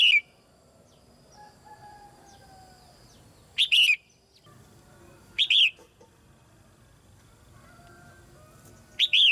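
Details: Caged female red-whiskered bulbul sings to encourage young birds; short loud whistled phrases repeat every two to five seconds, with softer chirps and whistles from other birds in between.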